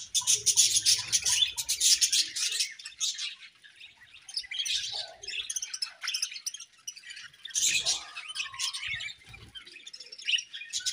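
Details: Budgerigars chirping happily: dense, scratchy warbling chatter with rapid high clicks and twitters, busiest in the first two seconds and again near eight seconds, with softer chirps between.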